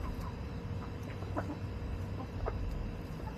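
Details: Backyard chickens in an urban farming setting, hens clucking in short soft bursts scattered through the clip over a steady low rumble of background noise.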